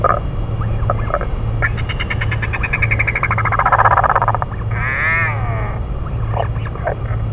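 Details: Royal albatross parents feeding their chick in New Zealand; a loud, harsh pulsed call with rich harmonics rises and swells, then rippling arched notes follow over a steady low rumble of wind.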